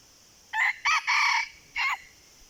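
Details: Wild red junglefowl answering a decoy bird: a loud, harsh crow in four bursts, a short opening note, a second note, a longer drawn-out middle phrase and a separate clipped final note, over quiet background hiss.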